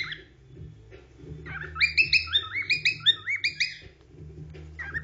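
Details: A pet cockatiel, the most vocal of three, sings a quick run of bright, rising whistles, about ten notes in under two seconds, with the other two birds perched in the background.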